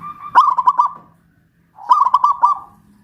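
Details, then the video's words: Local Pajajaran zebra dove from West Java singing loudly after being raised on a pulley pole. Two phrases about 1.5 seconds apart, each a punchy note leading into a throbbing string of coos. "Perkutut lokal pajajaran jawa barat gacor rajin bunyi"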